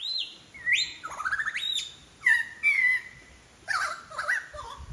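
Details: Wild lyrebird along Forest Path, Royal National Park, Sydney, Australia, mimicking other birds: loud pure whistles, a high held note, rising slurs and falling phrases in separate bursts roughly every second, with short pauses between.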